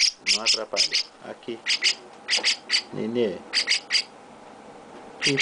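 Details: Young chestnut-cheeked starling receiving affection from its keeper: clustered raspy squawks in quick bursts, broken by pauses, while a person speaks softly in between.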